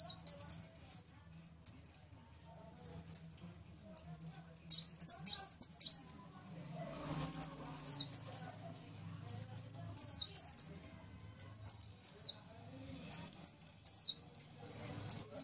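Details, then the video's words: Sunbird delivering repeated very high whistled phrases, mostly rising slurs followed by a level note, plus a few falling twists. Midway comes a rapid burst of sharp notes; a soft low rumble sits in the background. "KOLIBRI NINJA VS KOLIBRI WULUNG SUPER GACOR"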